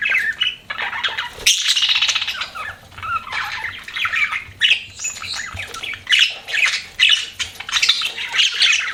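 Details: Pet budgerigars chatter with a loud burst of raspy squawking early on, followed by fluttering warbles and high, squeaky chirps in uneven phrases.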